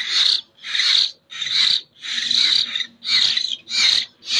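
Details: Young common hill myna chick from Jember, Indonesia, still hand-fed, giving harsh raspy begging screeches in bursts of about half a second, repeated steadily with short silent gaps between them.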